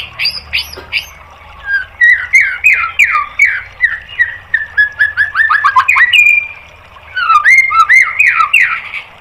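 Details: Loud, varied white-rumped shama song for training caged birds: rich whistled phrases with sliding, falling notes, rapid rolling sequences and ringing flourishes, broken by a short pause before a final burst.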